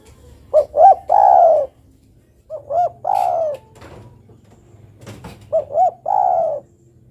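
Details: Female zebra dove calling for a male, repeating three phrases roughly every 2.5 seconds, each of two short looping coos then a longer purring coo that drops slightly in pitch; faint clicks between.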